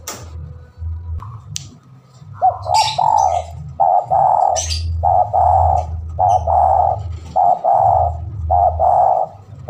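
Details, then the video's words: Spotted dove in a lure recording made to draw a rival, giving a long run of repeated mellow coo notes, roughly one per second, steady and rhythmic over a droning low hum. "Pancingan burung tekukur gacor manggil lawan"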